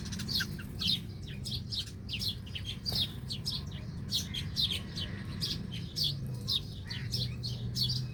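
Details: Birds feeding near tree roots, giving a busy stream of short, high chirps, several per second, overlapping as if from a small group, over a steady low background rumble.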